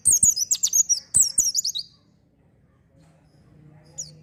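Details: An oriental white-eye sings energetically in a recording meant to lure untrained birds, giving two quick bursts of high, sliding twitters close together, then near silence with one faint late chirp.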